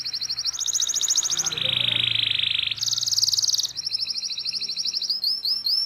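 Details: Local canary rolling ngerol song for training: continuous rapid trills stepping between high and lower pitches, a low buzzy roll in the middle, and upswept whistles at the end, with faint low background hum.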